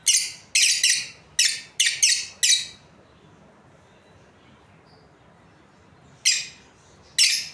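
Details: Pair of breeding Australian lovebirds chirping: a quick run of six shrill, falling notes, a pause of several seconds, then two more isolated chirps.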